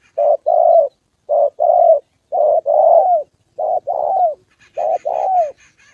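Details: Decoy spotted dove in Gia Lai, Vietnam, on the 2 September holiday with a wild bird and a female nearby: repeated short-then-long low coos, later ones ending in a downward slur, light twittering late on.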